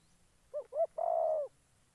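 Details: Trapping decoy spotted dove from Gia Lai, Vietnam, calling one full phrase: two brief soft coos, then a drawn-out level coo of about half a second that fades away, with little other sound.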